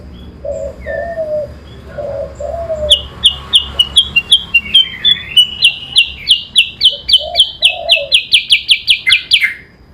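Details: Chinese hwamei (kutilang sutra) competing in song against an oriental magpie-robin (kacer): low cooing notes at first, then a long, loud series of sharp, high chirps steadily rising in pitch and accelerating, ending on a downslurred note.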